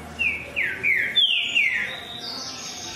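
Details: Green-winged saltator delivering a string of bright whistles that each drop sharply in pitch, four or five in quick sequence, ending in a thin, higher, drawn-out note.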